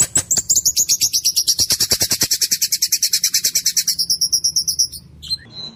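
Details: Rolling, harsh yet clear white-rumped shama song: a long, fast, even series of sharp pulses of about three per second-fraction, topped by high ringing whistles, lasting nearly five seconds before a brief closing chirp.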